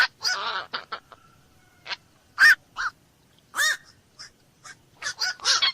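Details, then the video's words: Black-crowned night heron: a drawn-out grating squawk opens, followed by spaced, hoarse croaks and a quick closing run of three rough notes. "SUARA BURUNG KOAK MALAM"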